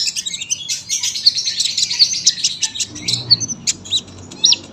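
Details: Sunbird singing a long, tight song: a packed stream of high sharp chirps and short trills, then a few sweeping whistled notes and clear upslurred chips near the end.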